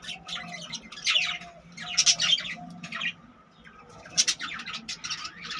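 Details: Colony of budgerigars with about 25 newly born chicks, making bursts of shrill chirping and warbled chatter in three loud clusters over a low background hum.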